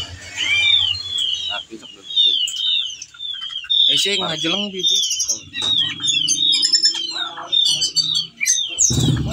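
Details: Stone whistling thrush (ciung batu, also called ciung wanara) singing in breeding condition, calling to a female, used as a lure to train other birds: a rich stream of varied whistled and slurred high phrases, with a human voice and some low noise.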